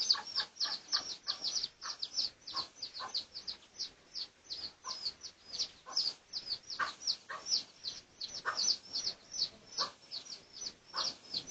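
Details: Pradu-coloured red junglefowl, recorded for research on 18 August 2023: a long, continuous run of shrill, high, short peeps, roughly three per second, some doubled, with a quieter background.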